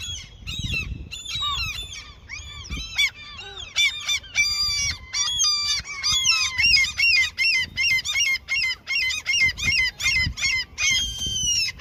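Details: Seagulls in their territory, given food by someone fishing there: a long bout of loud, rhythmic, repeated nasal yelps, about one every second, with other gulls calling beneath and low thumps.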